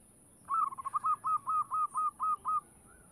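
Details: Local zebra dove, singing to attract other doves: a quick stammer of soft notes followed by about eight even, clipped cooing notes in steady rhythm, with low background noise.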